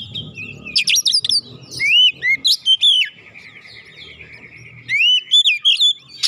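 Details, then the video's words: Oriental magpie-robin (kacer) lure song, played to provoke other birds into singing; the bird is described as fired up and insistently pouring out its isian repertoire. Rich whistled phrases, sweeping rising and falling notes and sharp high chips in bursts, with faint low rumble beneath. "PANCINGAN Kacer langsung naik emosi ngotot bongkar isian"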